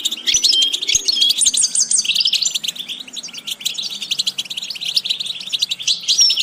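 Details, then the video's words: Goldfinch training song: lively, dense high twittering with repeated trilled figures around 1.5 seconds and scattered whistles, a low hum faintly present throughout. "Watch how to develop a distinctive vocal character for the Goldfinch"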